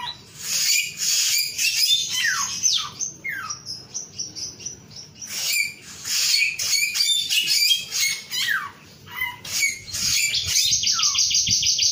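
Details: Rapid, energetic song of a male samyong: sharp downward-slurred whistles and dry chattering clicks in quick bursts, ending in a fast buzzy trill.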